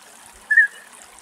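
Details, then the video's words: A European bee-eater perched on a fence in the late afternoon at Axios Delta National Park, Thessaloniki, Greece, gives one short, liquid, slightly rising call over a steady soft hiss. "Μελισσοφάγος Φωνές - European Bee-eater calls"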